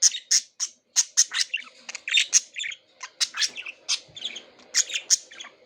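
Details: Pet budgerigars, kept as a group and plucking out feathers, chirping wildly in quick scratchy bursts, high-pitched squawks and tweets tumbling over one another.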